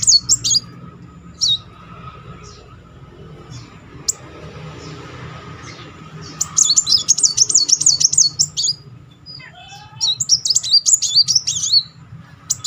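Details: Muncang sunbird singing a rolling song, used as a lure to stir silent birds into singing. Short high chirps, then a long rapid zigzag trill from about 6.5 to 9 seconds, a second burst near 10 to 12 seconds, and a steady low hum beneath.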